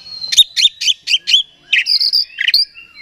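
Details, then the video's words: Oriental magpie-robin lure song for exciting another bird: five sharp, evenly spaced chirps, then longer high whistles and slurred notes. "Suara Pancingan Kacer Agar Cepat Emosi Gacor ! Pancingan Paling Ampuh Buat Menaikan Emosi Kacer"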